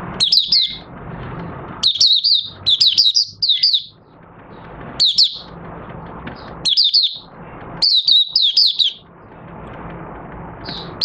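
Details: Open-song bout from a caged oriental white-eye, 25 August 2022, trained three months on an open cloth at night. Repeated short bursts of sharp, high, trilled twitters come every second or two over a low steady hum.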